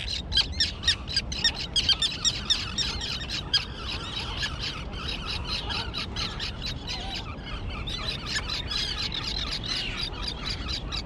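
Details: Calls from the island tern colony, where this year's young have learned to fly: a rapid run of sharp, squealing notes in the first few seconds, then a softer, steady chatter with a low background hum.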